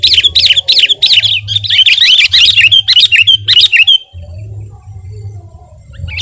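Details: Sooty-headed bulbul singing gacor as a tutoring and provoking recording: about four seconds of rapid, looping whistled notes in quick succession, then near silence apart from a low hum and one faint late note.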